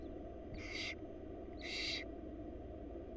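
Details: Two noisy, snore-like hisses a second apart from wild barn owl young begging while their mother brings food to a Florida nest box; steady low-pitched hum in the background.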